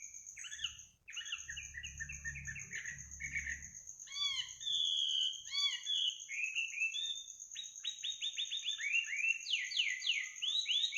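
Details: Bird singing at midnight, a varied run of chirps, slurred whistles and rapid descending trills in quick succession, with a constant high-pitched insect drone and some low rumble early on.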